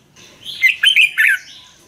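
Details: Red-whiskered bulbul, caged bird, song used to excite or train caged birds: one short phrase of four or five quick bright whistled notes, slightly warbled, rising and falling, in a quiet room.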